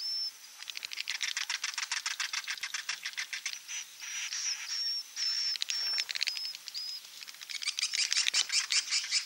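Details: Swiftlet roosting sound, 'inap' style: rapid pulsed twittering about two or three notes a second, buzzy and high-pitched, with brief clear whistled pips laid over the chatter.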